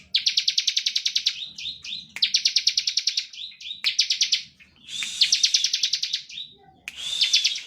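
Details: Standard ngebren singing by a bar-winged prinia, used as a lure for other prinias. Back-to-back trills of quick, high pulses, each followed by short sweeping notes, with a burst of higher, thinner notes near the end.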